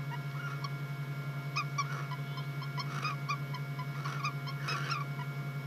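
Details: Barn owls at a nest-box live cam in Catalonia, Spain, 19 August 2022, mating after the kestrels left, give short chirruping twitters in loose bursts about once a second over a steady low electrical hum.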